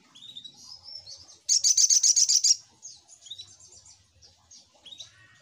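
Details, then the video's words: Little spiderhunter lure sound, known locally as sogok ontong. A loud, fast, even trill of about ten piercing high notes lasts about one second, with softer thin whistles around it. "Suara Pancingan Burung SogokOntong"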